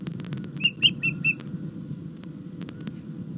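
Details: Ospreys mating at the nest at Rutland, 21 March 2021: a short series of sharp high chirping whistles, four or five in quick succession, over low steady hum and scattered clicks.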